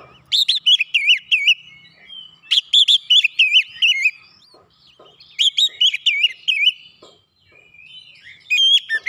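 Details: Oriental magpie-robin (kacer) in dense 'nembak rapat' master song. Four separate bursts of rapid warbled whistles, each a few notes long, broken by brief silences. The background is otherwise quiet.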